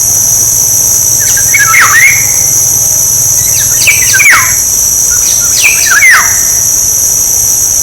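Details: Black-naped oriole song for decoying: three fluty whistled phrases, each ending in a clear downslur, spaced about two seconds apart over steady high insect buzzing.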